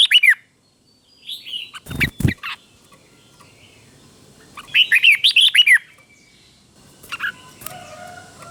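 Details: Red-whiskered bulbul teacher bird in the doubled style for training caged birds: a short warbled phrase, two loud clicks or knocks, then a clear burst of looping notes and a later faint chirp.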